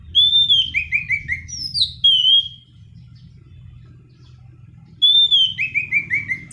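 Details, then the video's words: Black-throated laughingthrush singing a continuous rolling song meant for luring and tutoring birds, repeating one phrase twice: a bright whistle dropping into four quick descending slurs and a falling flourish, with a pause and steady low hum between. "Anis Cendana Kicauan Gacor Ngerol"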